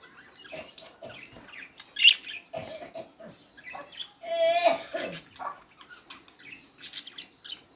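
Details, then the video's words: Parakeets, or budgerigars, chattering with scattered chirps and squawks, then a rapid buzzy warble around the middle, followed by more mixed squeaky notes. "Beautiful Budgies Sounds | Parakeets Sounds"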